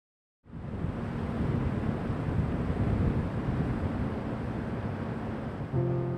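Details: Steady wind and rumbling water noise with no animal calls, a brief tonal hum near the end.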